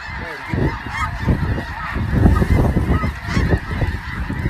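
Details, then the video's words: Massed snow geese giving a constant chatter of high, barking honks, partly buried under strong low-pitched wind buffeting. "Snow Geese"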